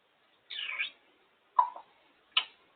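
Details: Female pet African grey parrot making noises: a harsh, broad squawk of about half a second, followed by two shorter sharp calls, the first dropping in pitch, the last a quick clipped burst.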